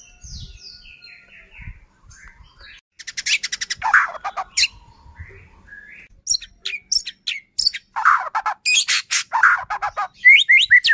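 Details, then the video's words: White-rumped shama in full song, used as a lure to provoke another shama into singing and agitate it: soft descending whistles, then bursts of dry, rapid rattling notes alternating with loud rich whistled phrases. "Murai batu gacor AMPUH buat PANCINGAN murai batu agar bunyi JADIKAN burung murai EMOSI"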